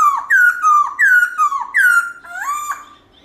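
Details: Loud, clear wild-style song of a black-throated laughingthrush with many voices. Rich slurred whistles rise sharply and then glide down, about six phrases in quick succession, ending in a softer wavering note.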